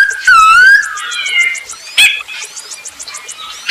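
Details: Masked laughingthrush song used as a lure for other birds: one long wavering whistle, softer warbled notes after it, a sharp note, and faint rapid chatter toward the end.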